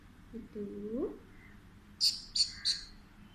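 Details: A talking pet Alexandrine parakeet speaking to a baby in Urdu/Hindi gives a low, rising, speech-like phrase, then three shrill, piercing squawks about a third of a second apart.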